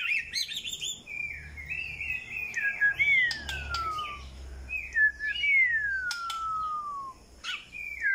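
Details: White-rumped shama song: warbled notes, then long clear whistles that slide slowly downward, each lasting over a second, given twice and separated by sharp clicks, ending with short chirps.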